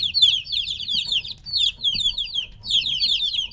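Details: About three-week-old domestic chicks separated from their mother, calling noisily: many overlapping high, descending peeps in dense bursts, with a short lull near the middle before the chorus resumes.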